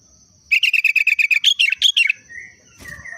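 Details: Sooty-headed bulbul whose daily song copies the Yellow-vented bulbul: a rapid run of about twelve clipped chattering notes, steady then rising and wavering at the end, followed by a soft whistle, over a thin constant background tone.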